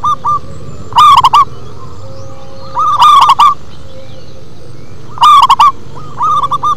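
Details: Deep-voiced local zebra dove performing its bass song, loud rolling coo phrases roughly every two seconds, each a quick run of clipped notes ending in a drawn tail, with softer distant cooing phrases in between.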